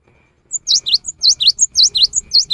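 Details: In the afternoon a cinereous tit delivers a song said to prompt other tits to join: loud, clear, swooping whistles in high-low pairs, ringing out in steady succession for two seconds after a brief silence.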